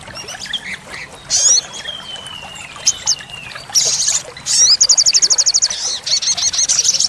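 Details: Olive-backed sunbird (sogok ontong) in active full-repertoire song for training caged birds: scattered high chirps and a thin descending whistle, then dense, fast, rattling trills of evenly repeated high notes near the end.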